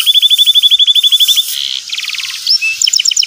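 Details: Canary lure for a young learner, ngeriwik style: a long run of rapid, even chips, then a brief buzzy passage, a rising whistle and short repeated double notes.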